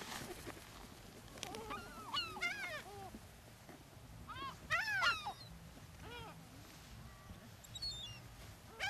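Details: Gulls being fed on the beach at Brean Sands, Somerset, England, April 2013; several birds give rising-then-falling squealing cries in rapid overlapping runs, peaking around the middle, with breezy coastal noise behind.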